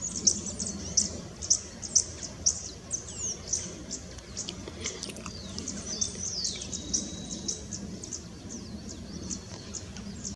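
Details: Vermilion flycatcher at Puembo Birding Gardens, Ecuador, 15–16 November 2017, recorded in the evening and the next morning, giving sharp, high chips about twice a second, then a few thin downslurred notes, over a steady low background hum.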